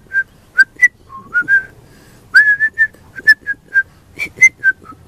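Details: Juvenile pied butcherbird singing a brisk series of short fluted whistles, each note clear and slightly varied in pitch, roughly one per second with quick clusters.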